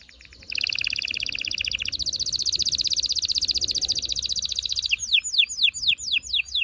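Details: Canary singing used to prepare males and females for mating: a long dense rattling trill that shifts higher, followed by sharp descending swept notes repeated about twice a second.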